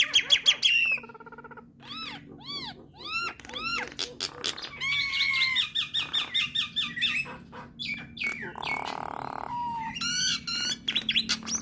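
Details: Nias hill myna singing to provoke starlings: arched whistles repeated about every half second, a long steady whistle, buzzy passages and bursts of quick chatter over a low hum.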